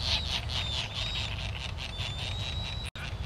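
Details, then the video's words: Rasping, buzzy notes from white terns of the subspecies rothschildi on Midway Island, 1999, taped on a Sony VX1000. The notes come in a quick run, with a thin steady whine beneath them, constant low wind rumble and a brief dropout near the end. "White Tern, Midway Island, 1999"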